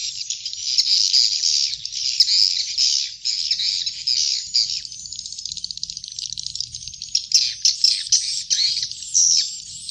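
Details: Swiftlet chick calls played to attract swiftlets to nest, a dense continuous mass of buzzy, chattering high-pitched chirps that swell and fade in bursts throughout, with no other clear sounds.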